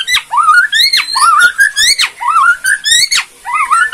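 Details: Kretekan song from a Borneo white-rumped shama, used to stir rivals into answering: loud rising whistled phrases, each sweeping upward and ending in a sharp drop, repeated in quick succession.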